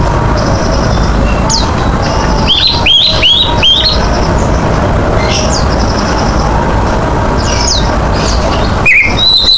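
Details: Lively Oriental magpie-robin song meant as a lure for other birds. A quick string of bright, upward-sweeping whistles is followed by faint scattered chirps and a final sharp note, all over steady low-pitched background noise.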